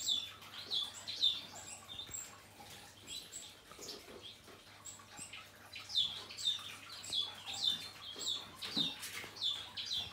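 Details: Male painted bunting, moult finished, giving bouts of quick high chirps separated by quieter stretches, notes bright and short, with a steady low hum in the background.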